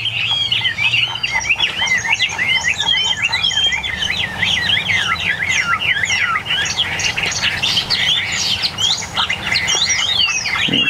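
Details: Tame caged Chinese hwamei, one of eight new arrivals, in full song: a dense, unbroken stream of fast looping high whistles and trills lasting about eleven seconds over a low background rumble.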